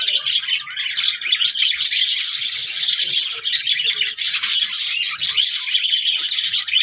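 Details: Budgerigars give a steady stream of rapid, high twittering and warbled chirps, busy and overlapping throughout, with faint low background noise.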